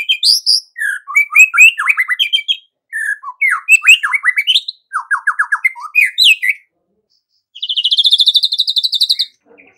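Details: Energetic white-rumped shama song for morning: rich whistled runs and chattering phrases in quick succession, ending in a long, even, high buzzy trill.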